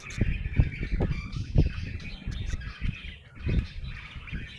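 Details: Happy budgerigar chirping in a chattering warble mixed with harsher squawky notes, punctuated by repeated low thuds and rustling.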